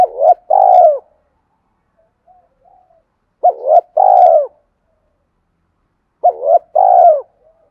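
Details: Cooing spotted dove, its call used to stir up wild doves: three repeated phrases roughly three seconds apart, each a pair of quick hollow notes then a drawn-out descending coo, otherwise quiet.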